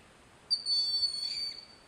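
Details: A Broad-winged Hawk perched on a snag at Sugar Hill State Forest, Watkins Glen, New York, while listening to another Broad-winged Hawk, gives one thin, high whistle about a second long, steady then trailing off; otherwise quiet.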